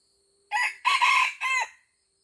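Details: Old junglefowl from Aceh, Indonesia, giving a loud three-part crow: a short opening note, a longer harsh middle phrase, then a shorter falling final note, with a faint background hum and little other sound.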